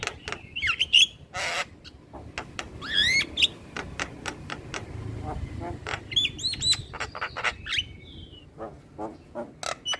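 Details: Male Javan myna singing in a natural setting: dry clicks and harsh bursts mixed with short whistled rising and falling notes, irregular and chattering throughout.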